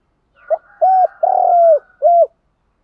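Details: One full coo phrase of a spotted dove, used to incite captive doves to coo and fight: a brief lead note, a clipped note, a long level note dropping at the end, and a closing short note.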